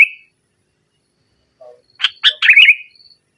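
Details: Lively sooty-headed bulbul in nggaruda style: after a brief opening note and silence, a soft low note is followed by two sharp chips and a bright, gurgling warble that slides downward, with a faint thin whistle lingering afterward.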